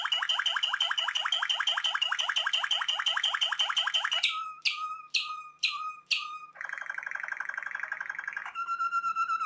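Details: A Malinois Waterslager canary sings fast, rhythmic trilled phrases, then slower bubbling, liquid notes, its sweet, soft song recalling the sound of water.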